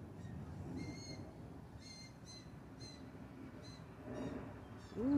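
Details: Juvenile blue jays about two months old, in a front-yard nest area while the mother feeds them, give loud, harsh, nasal begging calls about once a second over a low rumble, with a louder noise at the end.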